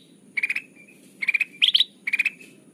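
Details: Chatty kutilang emas, a bulbul, played as a trapping lure: four compact bursts of rapid, bright notes, the third pitched higher, each under a quarter second, over soft low noise.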